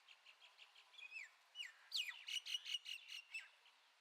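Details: Common myna (Acridotheres tristis), call.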